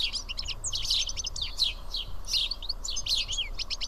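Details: Greek house sparrows gathered to feed at Karyotissa produce a lively jumble of short chirps, slurred tweets and fast chattering runs from several birds at once, over low background noise.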